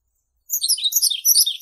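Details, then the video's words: Yellow-throated bunting: a short burst of high, rapid chirping notes, a fragment of song just over a second long, bright and slightly buzzy. "Как поёт желтогорлая овсянка?"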